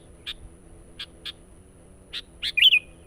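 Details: Sooty-headed bulbul lure recording for attracting wild birds: four short sharp chirps spaced apart, then a quick bubbly warbled phrase near the end.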